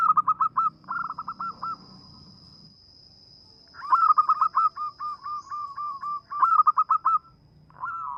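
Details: Actively singing local zebra dove, a small melodious voice suited to lure birds: long chains of quick, regular cooing notes, one run of about a dozen, ending in a drawn purr, with a constant faint high whine.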